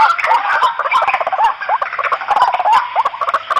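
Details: White-breasted waterhen calling noisily, used as a hunting lure; dense overlapping croaking and gurgling notes around the mid range, with short upward-curving squawks tumbling over one another rapidly.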